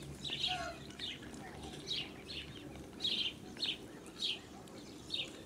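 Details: Young of a blue Muscovy duck, seen with the mother on a farm in summer 2017, giving sharp high peeps, roughly eight calls spaced about half a second apart, against faint low-frequency noise.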